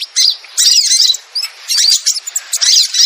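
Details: Crimson sunbird luring sound, heard as a short, shrill twittering burst, then a lone high note, and more chattering chirp bursts.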